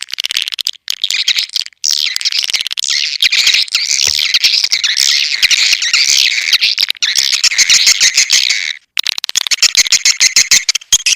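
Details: Swiftlets from Borneo, in a recording used as a lure call to attract swiftlets. Dense, high twittering chirps pour out continuously, broken by a few short silent gaps.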